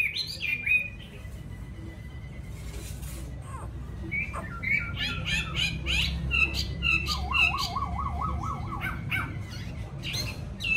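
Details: Caged yellow-billed Chinese hwamei at a home in Vietnam singing varied whistles, then a rapid wavering trill, with background hum and a man talking.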